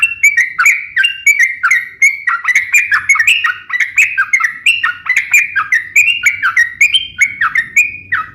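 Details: Energetic song of a sooty-headed bulbul meant as a lure and tutor for other birds: sustained series of clear whistled notes in alternating high and low steps, quick and unbroken, with no background noise.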